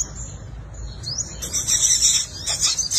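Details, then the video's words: Fighting song of a five-colored sunbird, played as a lure for wild birds: a rising squeak, then dense buzzy high-pitched twittering in rapid irregular bursts. "Tiếng chim hút mật 5 màu dùng đi mồi đánh bổi - Tiếng chim hút mật 5 màu hót đấu"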